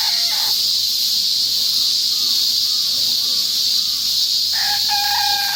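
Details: Unknown breed of chicken filmed on 22 August 2015 amid a heavy cicada chorus. The tail of one crow opens the recording, then comes a stretch of buzzing insects, and finally the start of another crow.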